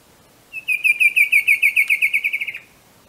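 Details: Colombian bicolored antvireo delivering a quick run of roughly fifteen bright, evenly spaced notes that drift gently downward over two seconds, softening toward the close, against a still, quiet background.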